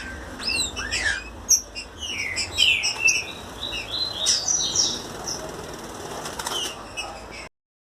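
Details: Captive green-winged saltators from a breeding aviary, recorded 5 February 2021, sing a lively run of varied, clear whistled notes, rising and falling slides and short chirps, dense for several seconds before the recording cuts off.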